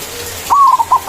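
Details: White zebra dove manggung song, used as a lure to call a rival: a sustained fluted coo that breaks into short stuttered notes, cut off as another note begins.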